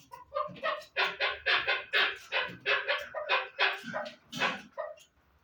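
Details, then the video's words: Chukar partridge calling in loud, rapid, harsh chuck bursts that crowd together irregularly, bright and rasping, with a faint low rumble underneath. "Кабки Дулан"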